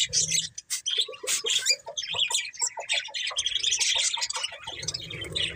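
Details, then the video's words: Chirping pet budgerigars, several together and described as happy, mix rapid high warbling with short clicking notes, over a faint low rumble in places. "Cute Budgies Chirping Sounds"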